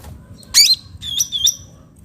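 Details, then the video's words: Cucak ranting bulbul recorded as natural sound for luring or tutoring: one harsh, buzzy downward note, then two clear high whistled phrases, over a quiet low background murmur. "cucak ranting suara alam"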